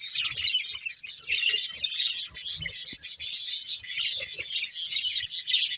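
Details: Budgerigars at play and feeding fill the background with continuous high, buzzy twittering, accompanied by scattered soft clicks and low taps.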